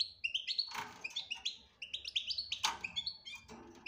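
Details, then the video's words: European goldfinch singing 'batbata' style: short high twittering notes in quick succession, interrupted by several sharp clattering knocks and a background hiss. "بتبتة روعة انتى ولمال نتاعها بتبتة وتصفية الكلام حسونك حايخرج من صامتو"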